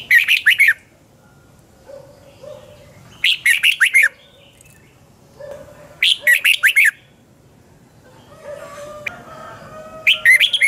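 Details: Red-whiskered bulbul morning song in the double-twist voice style, recorded in 2020 as a lure for training other birds; short bright warbled bursts of rapid notes repeat about every three seconds, with a faint low hum between phrases.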